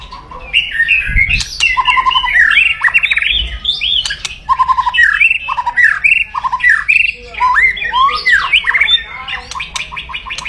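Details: White-rumped shama in aggressive, loud crackling song used to provoke rivals: a rich run of varied whistles, rapid trills and harsh squawking notes, sweeping up and down, with a few low thumps.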